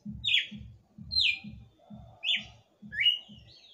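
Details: Red-cowled cardinal, a kept bird singing at the end of the night, gives four clear downslurred whistled phrases less than a second apart, with a regular low pulsing thump beneath.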